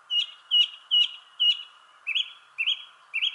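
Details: A thrush sings in a shrubbery tree, giving four clear identical notes in quick succession, then switching to three rising, slurred phrases, each repeated, against a faint steady hum.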